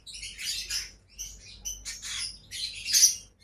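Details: Two pet lovebirds give bursts of noisy, high chirping in four uneven groups, harsh and scratchy with quiet gaps between.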